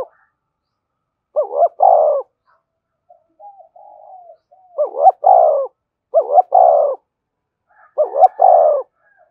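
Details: Spotted dove used to lure wild doves, which respond quickly and come in. Four loud phrases: a short broken double coo, then a long mellow note, with a soft low murmured coo in one pause.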